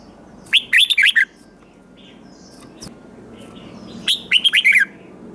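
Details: Red-whiskered bulbul singing competitively: two short, lively warbled phrases of looping whistled notes, separated by a long gap of near silence.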